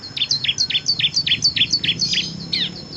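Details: A kristal-type bar-winged prinia sings in the rapid 'ngebren' style, a six-variation song used to train competition songbirds. About a dozen bright, high, down-slurred chirps follow in a quick, fairly even run, ending in a buzzy note.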